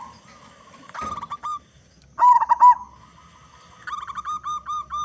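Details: Local zebra dove with a big voice singing vigorously, used as a lure so other zebra doves start singing: a soft cooing phrase, then a loud wavering coo with rolling notes, and later a rapid pulsed trill of repeated coos.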